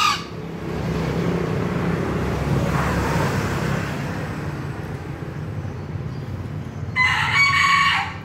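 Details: One clipped, scratchy two-part crow from a green junglefowl toward the close, with the end of a previous crow at the opening and a persistent low hum throughout.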